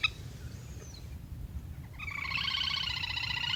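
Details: Lesser whistling duck calls for a hunting lure: a brief thin whistle, then after two seconds a rapid run of harsh pulsed whistling notes over low rumbling background noise.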